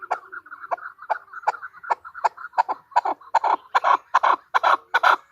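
A female chukar gives a run of clucking chuck notes, several a second, speeding up and growing louder and harsher toward the end.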